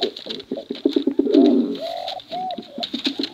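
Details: Male and female pigeons bred for cooing contests, recorded to attract young birds. A run of quick clicks leads into a rich rolling coo, then smooth drawn-out arched coo notes.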